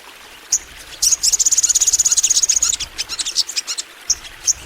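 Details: Crimson sunbird in a master recording used to coax other sunbirds into singing: scattered sharp high chips, then a fast even trill of thin high notes held for nearly two seconds, followed by more quick chips.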